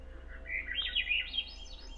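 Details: A bird thought to be a Swainson's Thrush, on the Two Medicine Pass Trail near Cobalt Lake in Glacier National Park, sings a flute-like phrase spiralling upward in quick, breathy notes over about 1.5 seconds, over a faint low hum.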